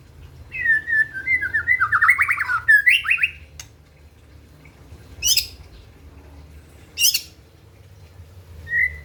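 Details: White-rumped shama singing to provoke rivals: a flowing run of descending and trilled whistles, then scattered short sharp notes with quiet gaps.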